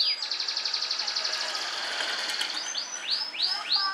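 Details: Yellow canary singing outdoors while set out in the sun, a bird that sings every day: a rapid trilled roll of high notes for over two seconds, then a series of rising whistled sweeps repeated about every half second, with faint background noise.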